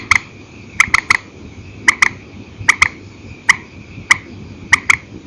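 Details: Purple swamphen heard at night in an old recording of single and double calls: short sharp notes, mostly in pairs or threes, repeated every half second to second over low hum.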